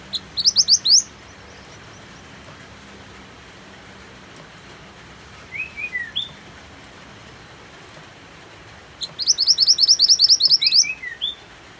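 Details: White-eye (mantenan) in full song, mixed with rain sounds: a quick burst of rising whistles, soft falling notes midway, then a longer rapid chattering run of high upslurred notes, all over a constant rain-like hiss.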